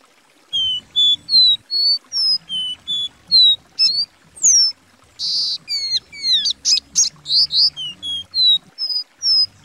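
A Copper Seedeater sings a lively run of clear, slurred whistles, some rising and some falling, with quick buzzy notes mixed in, repeated in short phrases.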